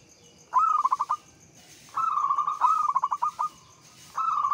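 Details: Local Javanese zebra dove singing a Mataram-rhythm lure song to make other doves respond: three phrases, each a sharp rising start followed by a stuttered trill of fast cooing notes.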